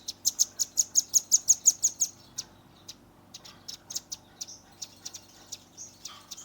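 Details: Velvet-fronted nuthatch youngster, recorded on a Redmi 10, opens with a rapid series of about a dozen sharp, high pipping notes, then breaks into looser, irregular high chips and short squeaks.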